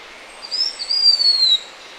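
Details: Blue-winged minla, a resident forest bird of northern and south-central Vietnam found above roughly 900 m, calling with thin, high, drawn-out whistles: a short note, then a longer one gliding slowly downward, over a quiet background.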